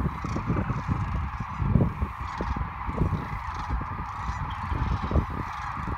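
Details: Sandhill cranes migrating along Nebraska's Platte River, March 2017, fill the air with an unbroken wall of overlapping trumpeting rattles, with low thuds and rumble beneath.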